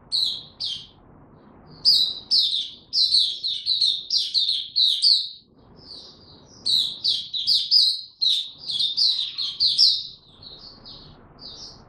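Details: Caged Oriental white-eye, a bird being trained and brought into form, singing two long bursts of rapid high chirps and slurred whistles, with a short pause between bursts over a quiet low background hum.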